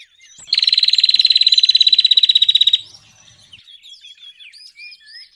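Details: Bar-winged prinia lure call for trapping birds: a loud, high, buzzy trill of rapid, regular pulses held for over two seconds, then softer scattered chirps and whistled notes from other birds.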